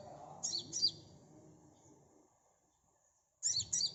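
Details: Sunbird call meant to lure birds into responding quickly. A quick double burst of high, buzzy chirps is followed by near silence, then another double burst at the end.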